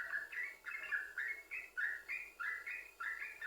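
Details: Yellow-vented bulbul singing, used as a lure to make other bulbuls sing: steady string of liquid, warbled notes stepping up and down, about two notes per second.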